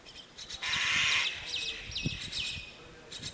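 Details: Small myna chick at a bird house nest, waiting for its mother; one long harsh, raspy hissing burst lasting under a second, followed by shorter scratchy rasps and faint background clicks.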